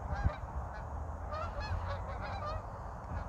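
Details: Active, vocal geese in winter flight over North Idaho in the Pacific Northwest, restless before snow arrives; a chorus of short honks with rising-falling inflections, several birds calling at once, with low rumbling background noise.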